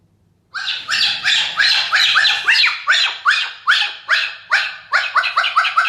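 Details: Cockatiel recorded on August 8, 2021, giving a harsh, raspy squawk repeated about twice a second. The calls speed up and crowd together toward the end, with no other sounds.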